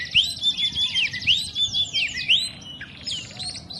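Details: Oriental magpie-robin, known locally as kacer, singing a rapid series of sharp, high whistled notes that sweep up and down, repeated several times a second, over low background noise.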